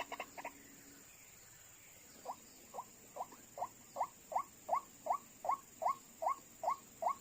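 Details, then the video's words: White-breasted waterhen, called ruak-ruak locally, heard during trapping with call playback that brought two birds within seconds; a few rapid notes, a pause, then a regular run of short upslurred croaks, roughly two and a half per second. "hanya dengan hitungan detik langsung datang dua ekor wak wak"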